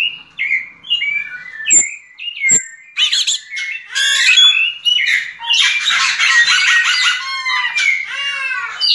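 A Yellow-legged Thrush sings a varied, continuous song: short clear whistles at first, then dense scratchy, chattering phrases packed together without pause.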